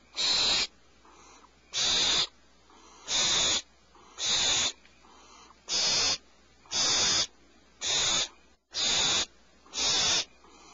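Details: Owl nest at 04:47 PST, mother arriving with medium prey for owlets that are not very hungry; a series of loud, hissing screeches, each half a second long, repeats about every 1.2 seconds.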